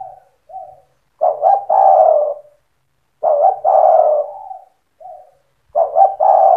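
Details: Spotted dove song in 'cetretan' style, used to get other doves singing: repeated phrases roughly every two seconds, each with soft lead-in coos, a quick double stutter and a long vibrant coo; a faint low hum runs underneath.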